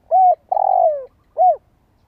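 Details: Spotted dove used as a decoy, its voice stirring other doves to coo. A full three-part phrase: a short arched coo, a long, gradually falling middle note, then a short arched closing coo, loud and clean.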